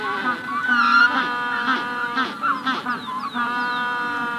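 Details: Magellanic penguins in a colony at hatching stage give harsh, nasal braying calls that overlap and pulse throughout; a few thin, falling whistles from a Rufous-collared sparrow in the background come in near the end.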